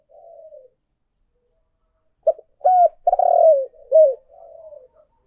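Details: Spotted dove calling and urging coos from a lure recording. After a soft mutter and a pause comes a clipped note, a level coo, a long rough coo gliding lower, then a falling coo and quiet trailing murmurs.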